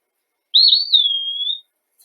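An Eastern Wood-Pewee gives one clear, high, slurred whistle lasting about a second, with a slight dip, a downward slide and a small lift at the end.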